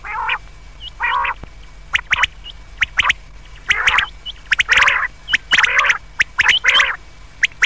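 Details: Common quail calling at night: repeated rough, buzzy, nasal phrases alternating with sharp, clicking note groups, about seventy bursts a minute, with several birds overlapping.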